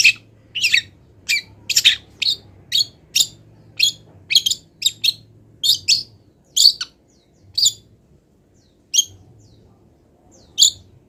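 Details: Still-moulting long-tailed shrike utters a string of wild-bird mimicry notes: short, scratchy chirps about twice a second, gradually thinning out to single spaced calls toward the end, with a low hum in places.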